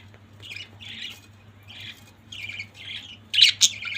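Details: Pet budgies in a family group make a run of raspy chirps roughly every half second, ending in two sharper louder squawks, with a low electrical hum behind.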